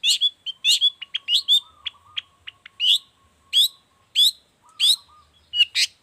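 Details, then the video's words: Song of a long-tailed shrike used as a tutor and lure for other shrikes: rapid harsh chirps, some in pairs, with soft clicks, over a faint steady low whistle. "Cendet gacor cocok buat masteran juga pancingan cendet lainnya"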